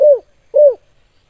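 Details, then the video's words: Spotted dove, in the KUK 2 calling style, giving two short, low, downslurred coo notes about half a second apart, clean and close with no background sound. "Suara Burung Tekukur Gacor KUK 2"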